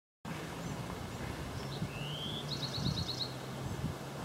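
Bewick's wren gives a thin rising whistle, then a quick, bright trill of about eight notes, over a steady low rumble of distant traffic.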